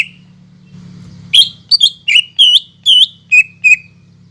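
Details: Greater green leafbird in full, steady song, used as a lure to stir leafbirds that have stopped or are reluctant to sing; after a second of quiet come about eight sharp whistled and chirped notes, some hooked, with a low steady hum beneath.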